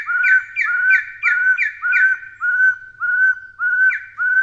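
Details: Taiwan partridge calling with clear, slightly upslurred whistles, about two a second, each note steady and pure-toned, carrying on in a regular rhythm.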